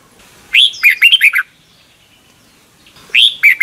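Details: Red-whiskered Bulbul, a caged bird from Thailand whose song is played mornings for youngsters to copy, gives a lively phrase of five or six slurred chirps, then a long pause before the next phrase begins.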